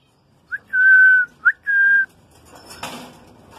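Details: A semi-tame, talking and whistling female cinnamon Indian ringneck (rose-ringed) parakeet, about 3 years old, kept in Karachi, gives two clear, steady whistled notes, each opened by a quick rising chirp. Faint room noise and a soft click follow.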